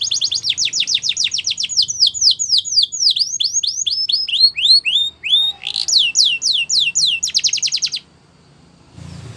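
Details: Singing canary: rapid high rolls give way to slower looping swoops, then a brisk buzzy trill, before the song stops abruptly and near silence follows.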